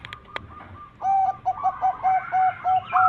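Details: Zebra dove (perkutut) song meant to attract birds: a few faint, sharp high calls at first, then a steady string of about eight soft, low coos with a rolling note at the close.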